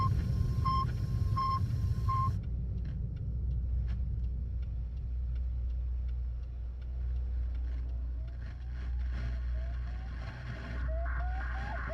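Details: Low vehicle rumble fills the recording, opening with three evenly spaced electronic beeps, followed by faint clicks and rising tonal whines.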